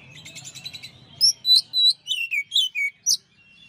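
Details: ['Master recording of a champion Oriental magpie-robin: after a soft, murmuring start over low hum, the bird bursts into a rapid series of loud, clear whistled notes, each a quick slur, roughly three or four per second.']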